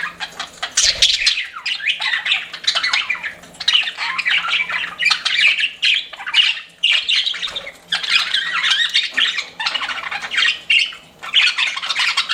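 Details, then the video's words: Several pet budgies chattering in a flirting bout, a dense run of scratchy, buzzy warbling phrases broken by short gaps about every one to two seconds, with occasional low knocks. "CUTE PET BUDGIES CHIRPING"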